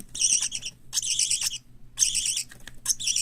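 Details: White lovebird, cockatiel and budgerigar chicks kept as pets in Japan make short, trilling, raspy chatters, about four bursts in three seconds, each with a wavering buzzy quality.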